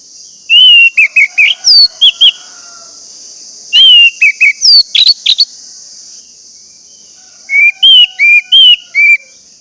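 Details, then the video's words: Lure song of an orange-headed thrush meant to prompt reluctant birds to sing: rapid clusters of sweet whistled and sharply slurred notes in three phrases, over a constant high-pitched buzzing hiss. "pancingan anis merah agar anis merah macet cepat bunyi dan gacor"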